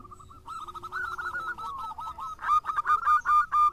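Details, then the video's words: Lure recording of a local zebra dove in full song: a soft rolling trill of coos builds into louder, evenly spaced hooked coo notes. "Perkutut Lokal Gacor"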